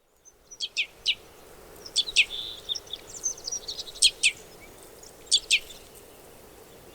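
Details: Red crossbill (Loxia curvirostra), a crossbill of the finch family, giving sharp, high, downslurred kip notes, mostly in close pairs, in short bursts over about seven seconds. A few fainter high twittering notes sit between them over a steady low background hiss.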